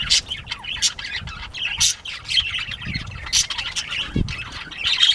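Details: Playtime for northern bobwhite quail, 19 April 2017 at 10:13 AM; irregular, scratchy squawks and chirps tumble over one another, with a soft thump near the end.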